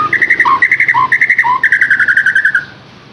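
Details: Rapid chattering trill used to lure a captive white-rumped shama into song, with three lower warbled notes cutting in, lasting under three seconds before fading.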